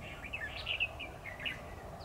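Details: Competitive song of a decoy red-whiskered bulbul during a trapping session on 10 October 2019: a quick run of bright, liquid whistled notes, rising and falling, against a low hum.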